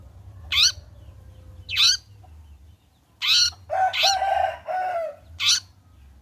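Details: Long-tailed shrike after bathing, a lure to make it sing: sharp rasping notes, then a burst of lower nasal, churring phrases around the middle, ending with another harsh squawk.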